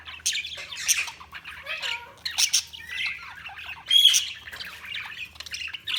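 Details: Budgerigars chirping: scratchy squawks and warbled chirps in short bursts, mostly high-pitched, with occasional clear whistled notes and brief pauses between phrases.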